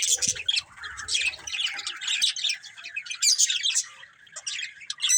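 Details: Several budgies in a family group keep up continuous chattering, with scratchy chirps, warbles and occasional sharp high squeaks, and faint low thumps early on.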